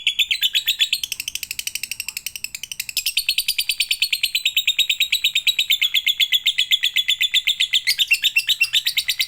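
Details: Extended lovebird song played to coax lovebirds into singing: a long, unbroken run of fast, high, squeaky chirps, briefly softer early on, then louder and steady to the end.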